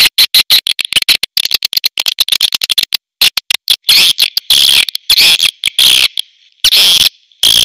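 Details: Swiftlet calls: loud, sharp clicking pulses in rapid irregular trains, then longer buzzy twittering chirps with gaps of silence between groups.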